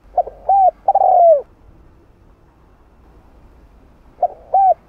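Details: Spotted dove singing its 'hạp bổi' coo, meant to excite other doves into calling: soft short coos lead into a sustained falling note, then a pause before the next phrase begins.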